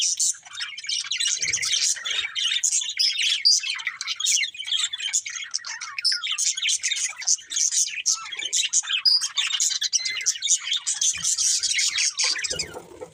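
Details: Long stretch of chirping from a colourful budgerigar breeding pair: unbroken, busy twittering made of quick scratchy notes and bright warbled trills, steady in loudness, with faint soft knocks now and then.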